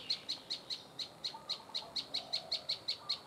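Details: Prinia known locally as prenjak lumut, repeating high, sharp chip notes at a brisk, steady pace of roughly five per second against a quiet background.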